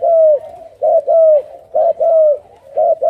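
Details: Spotted Dove at a captive breeding farm in Ca Mau, Vietnam, housing Thai and Malaysian strains that rear their own chicks; loud, mellow coos in two-part phrases, each ending with a downward slur, repeated about three times.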